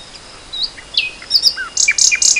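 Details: Nightingale song recorded in spring 2014, a short burst of varied high notes: thin slurred chips, a low downward whistle, then three loud emphatic high notes.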